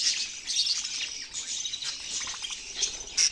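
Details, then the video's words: Budgerigars calling together in a dense, continuous chatter of high warbles, squeaks and short chirps, overlapping without pause, with a sharp, clear tone near the end. "Parrot sounds"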